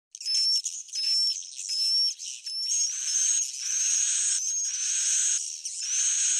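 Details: Swiftlet, an old-style original call recording: thin, high whistled chirps repeating about once a second over a continuous buzzy, hissing twitter, with brief gaps between bursts.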